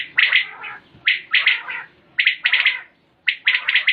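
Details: Batair, the common quail, recorded in 2020, giving quick triple-note calls, each burst bright and clipped, repeated roughly every second with short silent gaps.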